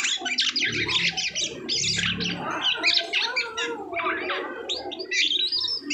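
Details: Asian pied starling singing after its moult: harsh squawking phrases and grating, rattling notes broken by brief whistled slurs, with a faint low rumble underneath.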